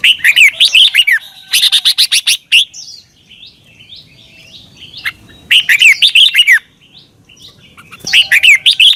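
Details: Red-whiskered bulbul song from Thailand, looped for caged birds to learn: repeated clusters of quick, bright whistled notes with swooping pitch, bursts about a second long, and softer distant chirps between phrases.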